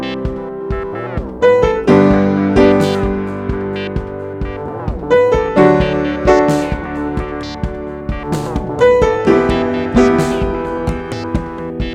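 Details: Only keyboard music is heard, an electric piano playing sustained chords and melody with no animal sound.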